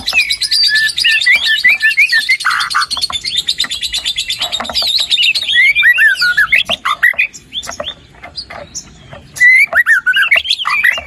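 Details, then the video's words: White-rumped shama in lively full song, meant to stimulate a quiet bird to start singing: dense, varied phrases of rapid chatter, sharp whistled slurs and trills mixing high and mid notes, with brief pauses. "PANCINGAN MURAI BATU GACOR ! BONGKAR ISIAN ! NAIKAN MURAI BATU MALAS BUNYI AGAR CEPAT GACOR !"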